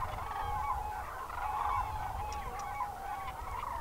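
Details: Common cranes and greylag geese gathered at Trandansen, Sweden, at evening, where geese chase the cranes; continuous overlapping bugling and honking from a large flock, with steady low wind noise underneath.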